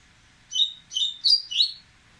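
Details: Dubois's seedeater, worked up before singing, gives four quick whistled notes, the last two higher and sharply slurred downward, run together in a brisk rising-and-falling phrase over light hiss.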